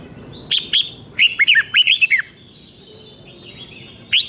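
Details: Red-whiskered bulbul doubled five-syllable song used to tutor young birds: two short whistles, then a quick run of bouncing whistled notes, with a lone note near the end.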